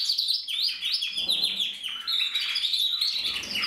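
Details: Red-black crested cock canary from the 2024 breeding year sings quick descending whistled notes that run into fast rolling trills and chattering phrases, all high-pitched and unbroken.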